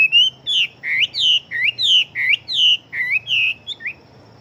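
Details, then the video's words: Chinese hwamei fighting bird with a large build, pouring out rich whistled notes at a rapid pace. Rising and falling slurs follow each other quickly before the song trails off. "Họa Mi Chiến Siêu Mau Mỏ Bộ To Hót Tốt"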